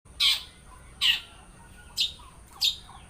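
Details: Long-tailed shrike singing with mimicked songs: four separate sharp, harsh high notes spaced about every 0.7 seconds, with a faint steady high whine in the background.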